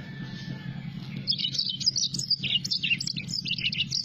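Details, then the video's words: Yellow-fronted canary song: after a second of quiet, a fast, high twittering run of short warbled notes and trills, continuing without pause, over a steady low hum. "mozambik gacor dor"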